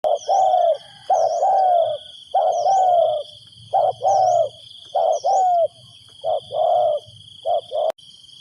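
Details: Decoy spotted dove calling to draw in wild doves: short clipped coos, each followed by a longer falling croo, repeated about once a second in uneven phrases over a steady high electronic whine.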